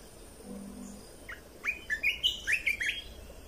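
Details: Red-whiskered bulbul training song: after a faint low tone, a rapid phrase of about seven bright, bouncy whistled notes stepping up and down.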